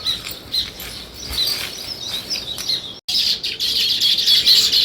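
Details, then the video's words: Chorus of sparrows, a busy stream of overlapping high chirps that grows louder and denser after a brief gap near the three-second mark. "Sparrow Chirping Sounds"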